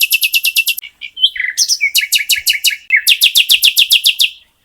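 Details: Bird singing bursts of quick metallic trilled notes, eight to twelve per burst, with a few lower chirps and twitters between the runs.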